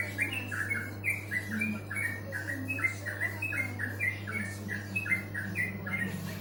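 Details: Bird singing a steady series of short chirped notes repeated several times a second, with a constant low hum underneath and faint indoor room sound.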